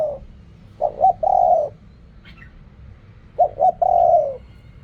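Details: Spotted dove cooing in the Thai contest style called riak kham, khu kham, ok rong. Two phrases, each two quick short coos and then a long, steady, slightly falling coo, with a quiet pause between them. A faint chirp sounds in the gap.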